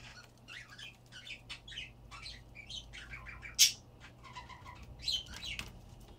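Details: A budgerigar tangled among cables chatters in quick, scratchy chirps and warbles, with a sharp click partway through.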